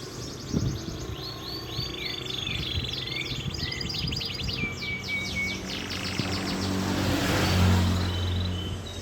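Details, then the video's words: Canary singing a long tutoring song in its original voice, without inserted songs of other birds: fast, fairly quiet high rattling trills and short whistled notes over steady low rumbling background noise. "Masteran kenari panjang suara asli kenari original tanpa isian"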